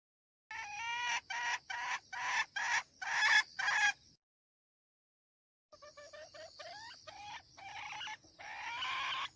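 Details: Decoy hen calling to stir and attract roosters: a run of about seven loud, harsh, harmonic squawks at roughly two per second, a brief silence, then a longer jerky stuttering series, over a steady thin high-pitched whine.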